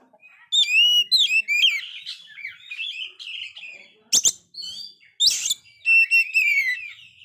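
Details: Oriental magpie-robin singing very actively despite a failed moult, song used to stir a dispirited magpie-robin: rich varied whistled phrases with up-slurred notes, interrupted by harsh rasping bursts near four and five seconds.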